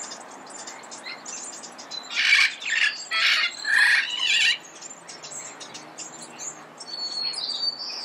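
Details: Red-crowned amazon in early-morning Pasadena gives three or four loud, hoarse squawks in quick succession midway through. Thin high chirps and whistles from other small birds continue before and after.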